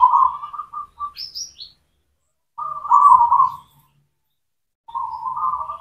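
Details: Local zebra dove (perkutut) cooing, a lure to stimulate silent doves to sing: three mid-pitched, rolling, burbling coo phrases about a second long, separated by silences, with a brief higher chirp from another bird.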